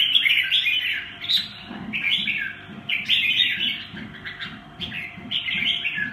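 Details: Red-whiskered bulbul delivering short, chattering warbled phrases, repeated rapidly with brief gaps, over a background of regular low knocking and a steady faint hum.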